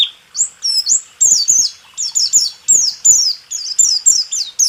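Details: White-eye training song in the 'rool tembak' style, meant to get caged birds that rarely sing to sing: short bursts of high, sharply down-slurred whistled notes, one group after another, separated by brief pauses.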